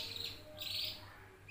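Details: Two-month-old canary singing loudly: a brief, dense high warbling trill in two bursts, with a steady low hum underneath.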